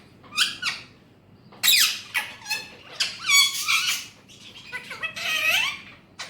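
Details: Talking Alexandrine parakeet, a pet bird mimicking Urdu/Hindi words, delivers rough, sliding speech-like syllables in several separate phrases, harsh and broadband throughout.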